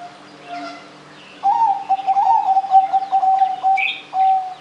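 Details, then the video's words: A zebra dove (perkutut) gives a fast run of soft, staccato cooing notes on a steady mid pitch, ending in a longer coo, with faint chirps from other birds behind it. "anggungan perkutut gacor"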